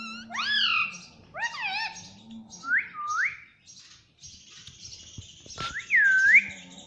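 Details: Pet parrot talking, saying "mummy": a few harmonic, swooping, voice-like syllables in the first two seconds, then short rising whistles and a looping whistle near the end, over a faint low hum.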